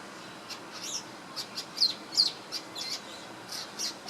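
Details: A swiftlet-like small bird in Singapore, chirping while preening, gives thin, high chirps and twitters in loose, uneven bursts, about two or three a second, over faint background hiss.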